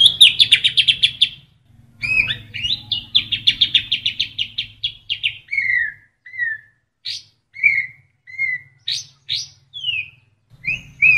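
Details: White-rumped shama singing a full 'isian' filler repertoire used as training material: fast buzzy chattering bursts, rapid stuttered notes, then a string of clear falling whistles and sharp high notes repeated about every second, with a faint low hum.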